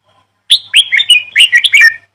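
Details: Bird chirping in a quick run of bright, high notes, a sharp opening chirp followed by a string of warbled, downward-sliding twitters lasting about a second and a half, then silence.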